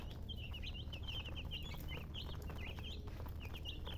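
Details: Colored chickens chirping in quick runs of high, thin, downslurred peeps, some slightly rising then falling, with a continuous low rumbling background.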